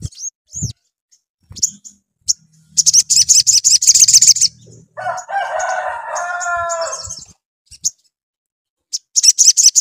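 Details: Vigorous sogon singing to stimulate another sogon to answer: rapid trains of sharp high chirps, repeated several times a second, alternating with a drawn-out, stacked, nasal lower call lasting about two seconds, plus a few scattered short notes.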